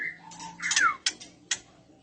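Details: Oriental magpie-robin, a breeding-condition female that males answer: a level whistle, a fast downward-slurred whistle, then two sharp clicks.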